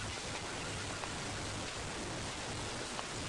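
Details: Steady rain pattering across all pitches around sunrise on a safari drive, with no animal calls.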